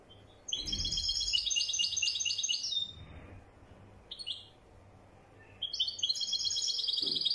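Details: European goldfinch called wedani: a long rapid jingling twitter of high bright notes, a brief chirp, then another rolling song burst starting up, with light background hum.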